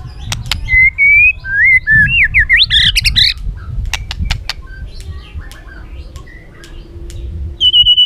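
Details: White-rumped shama in training, singing with many voices: clear whistled notes climbing in wavering steps, a quick twisting flourish, sharp ticks, then a pause before a high pure whistle.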